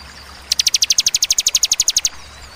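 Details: Bar-winged prinia firing a quick 'tembakan' burst of about eighteen bright, sharp chips in roughly a second and a half, evenly spaced, then falling silent.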